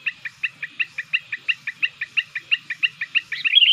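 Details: Young sooty-headed bulbul kept as a lure to attract wild bulbuls, now starting to sing eagerly. It repeats a short two-part chirp about five times a second in a steady series, ending in a brighter slurred whistle.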